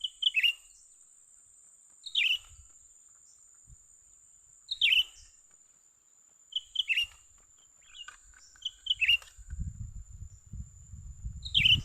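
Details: A young cucak ranting bulbul lured during trapping repeats short bright whistled phrases about every two seconds. Faint lower notes fall between the phrases, and low rumbling noise builds toward the end.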